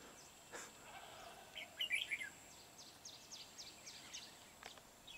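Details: Decoy red-whiskered bulbul in Hòa Bình, Vietnam, 13 March 2019, singing to challenge rival birds at a trapping site: one quick, clear warbled phrase, then faint scattered chirps against a steady high whine and background hiss.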